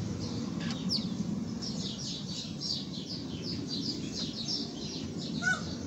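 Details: Peeping Sebright chicken chicks, a continuous chorus of short, high, slightly falling peeps repeated rapidly throughout, over a constant low rumbling background noise.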